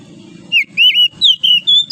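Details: Oriental magpie-robin, wild, forest, morning: loud pure whistles in short phrases, slurred and wavering, stepping upward in pitch toward the end, over a low murmuring background.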